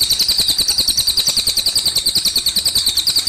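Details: Cililin bird singing beside running water: a fast, even series of high, sharp chirping notes, about three per second, running continuously, over a steady gurgling trickle of water.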